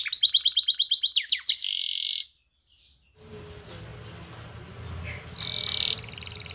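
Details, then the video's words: Spanish Timbrado canary song for training: rapid high trill of repeated notes, then a sustained buzzy roll, a silent gap, low background hum and rustling, and a brief return of loud rolling song near the end. "Canary's Most Powerful Song For Training !! Spanish Timbrado Song"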